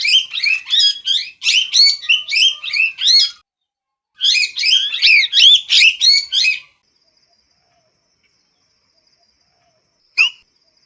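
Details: Parrot giving rapid bursts of harsh, screechy calls, about three per second, in two runs of roughly three seconds each, then quiet, ending with one lone sharp squawk.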